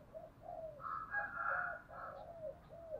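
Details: Spotted dove decoy cooing to challenge rivals in a fighting coo: soft, mellow, rounded coos, with a brief rising-falling note and a louder, longer middle phrase, over a faint background hiss.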